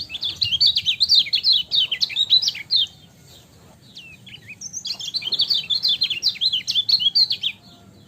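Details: Lemon-bellied white-eye (kecial kuning) singing a master training song: rapid high, twittering warbled phrases of sliding chirps, one burst of about three seconds, a brief pause with a few scattered notes, then a second long burst; faint low background rumble.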